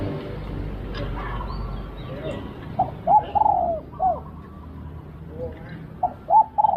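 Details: Spotted dove during a decoy-luring session: after a few seconds of background hiss, soft arched cooing notes come in short groups, with a second group near the end.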